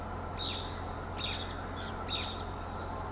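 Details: Spotted owlet calling: three harsh, scratchy screeches, each short and broad, spaced just under a second apart, over a steady low hum and background noise.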